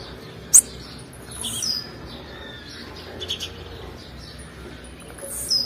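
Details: High, piercing single chirp from a female blue-black grassquit, a call meant to stimulate males, followed by thin slurred notes later on, with a constant hissing background.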